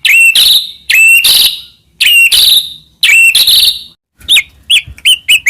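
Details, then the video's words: Shama song played as a master to provoke other white-rumped shamas: four loud harsh buzzy phrases about a second apart, each opening with a short whistle, then quick sharp chipping notes. "burung murai cocok untuk masteran gacor isian banyak"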